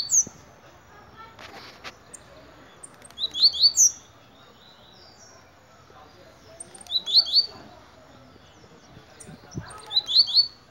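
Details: Tiziu, the blue-black grassquit, gives brief high buzzy phrases of quick rising notes, repeated about every three to four seconds, with some scattered soft clicks and low ambient noise between phrases.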